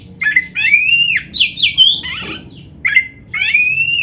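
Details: Oriental magpie-robin song played to make other magpie-robins sing: loud clear whistled phrases, some rising and some sliding, with a scratchy burst in the middle and short gaps between phrases.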